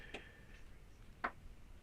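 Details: A woodpecker that repeatedly returns to a workshop gives two sharp, hollow knocks about a second apart, hammering on the building's wooden wall; otherwise quiet apart from a faint hum.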